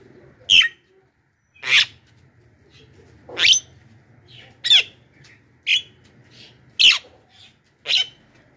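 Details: Javan myna giving loud lure calls used to attract wild mynas: harsh, broadband screeches repeated about once a second, seven bursts, over a faint low hum.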